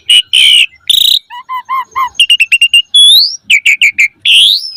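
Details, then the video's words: Asian pied starling, a caged bird in full song, its varied phrases used as a lure to train other caged starlings: long whistled notes near the start, then a run of short stacked notes, quick repeated chips and a rising whistle at the end. "Suara Jalak Suren Gacor Full Isian Mewah Auto Bongkar Isian Pancingan Burung Jalak Agar Isian Bagus"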